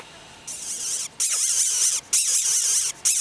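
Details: A Greater Coucal (Centropus sinensis) chick that fell from its nest in a garden in Isaan, Thailand, and is being hand-raised gives harsh, hissing bursts, each under a second long and about one a second, with faint background noise between them.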